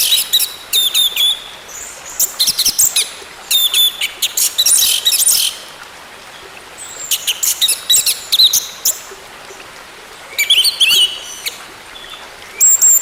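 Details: Orange-headed thrush song played as therapy to get a silent bird singing again. Bursts of high, sharp, varied phrases with whistled notes and rapid trills come in clusters about a second long, separated by short pauses over a steady hiss.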